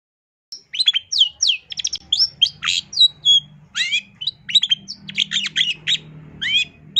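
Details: Full-isian masteran song of a gacor long-tailed shrike (cendet): rapid, varied sequence of downslurred whistles, quick trills and scratchy chirps with barely a pause over seven seconds; soft low hum in the background.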